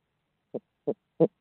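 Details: Barred owl in Midtown Tulsa giving three short, deep, hollow hoots about a third of a second apart, in clean silence.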